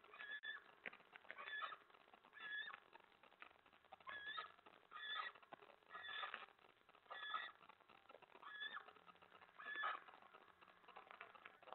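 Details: After a scolding from his mate over her stored mouse, a male eastern screech owl returns to his spot by the door on a February 2017 night and gives clustered chittering bursts roughly every second or two. Soft hiss sits underneath.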